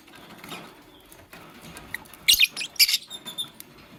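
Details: Fischer's lovebirds, a green bird with a pastel one, busy making a nest: a short cluster of sharp, high, harsh chirps bursts out midway, then a second quick burst follows, over faint rustling and scratching.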